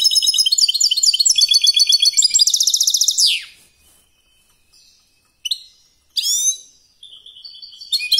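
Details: Competition song of a European goldfinch, opening with a fast rattling series of high chirps about four per second, then a sweeping downward note, silence, and scattered tinkling phrases.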